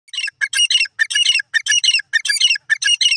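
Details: Francolin, known locally as teetar, calling in a forest: loud harsh grating notes in rapid bursts, repeated roughly every quarter second with short gaps, bright and squawking throughout.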